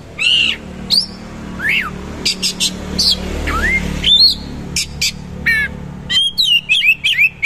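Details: Oriental magpie-robin in 'isian' song, mixing arched whistles, swoops and sharp chips, speeding into a rapid warbled run at the end, with faint background rumble.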